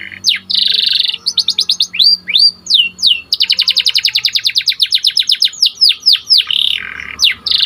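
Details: Domestic white panda canary singing clearly: rapid repeated chips, looping slurred whistles, long fast trills of descending notes and buzzy rolls, alternating without pause in a clean recording.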